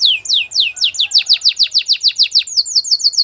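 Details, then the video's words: Belgian singing canary song: a steady series of loud downward-sweeping whistled notes, about four to five a second, shifting near the end into quicker, higher, flatter chips. "A special canary to seduce all the canaries - The belgian singing canary"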